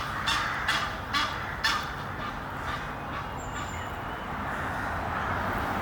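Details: A pair of Egyptian geese up a tree near Henley upon Thames, courting and mating. Four harsh, rapid honks in the first two seconds, then fainter calls over a steady background hiss, with a brief thin high whistle midway.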